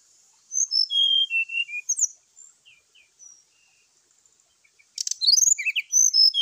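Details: In the morning, a brown-chested jungle flycatcher fights vocally to provoke other birds: a string of sharp high whistles, a quiet gap with scattered soft notes, then a harsh clicking rattle and more rapid whistling.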